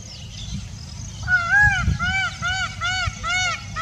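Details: Indian peafowl, India's national bird, giving a rapid series of loud, nasal, arched honking notes, about six in under three seconds, each rising then falling, over a low rumbling background.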